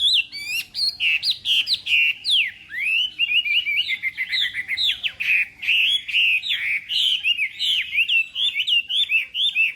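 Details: A Chinese hwamei's contest song at morning voice training: a loud, unbroken torrent of slurred whistles and rapid repeated notes, sweeping sharply down and up, with scarcely a pause.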